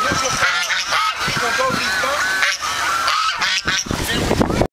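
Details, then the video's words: Several geese hearing their own recorded calls answer with a noisy, crowded chorus of brassy honks and cackles, heavily overlapping and continuous until an abrupt cut at the end. "When Geese Hear Their Own Voice"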